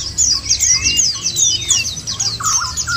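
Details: Short burst of white-eye song, used to prompt birds to sing: fast descending high twitters in a rapid series, with a lower wavering whistle toward the end.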